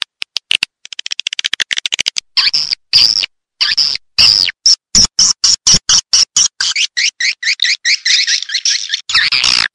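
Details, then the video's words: Edible-nest swiftlet attraction sound, Raja Liur Emas style, for a swiftlet house: quick dry clicks at first, then regular sharp high chirps about twice per second with some rising twitters. "Suara Tarik Walet Raja Liur Emas"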